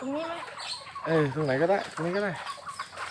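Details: Home-kept chickens, tagged as bantams, in Thailand: three drawn-out, arching, nasal calls, each rising then falling, about half a second apart, with people talking and laughing nearby.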